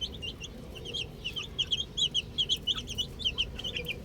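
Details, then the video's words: Little chicks playing with a ball chirp in loud, evenly spaced high peeps that speed into a steady run of sharp notes, roughly four per second, over faint background noise. "Cute Little Chicks Chirping Sounds"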